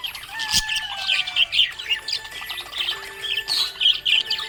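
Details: Budgerigar in a happy mood, chattering continuously in bright, buzzy bursts and short warbled notes, with soft sustained music underneath.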